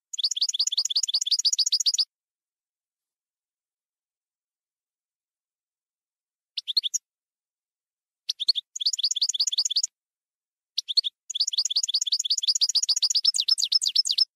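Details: European goldfinch, campero song from a 2020/2021 CD: long, rapid twittering runs of rolling, buzzy notes, broken by silences and short chirped fragments, then a sustained, energetic final passage, with no other sounds.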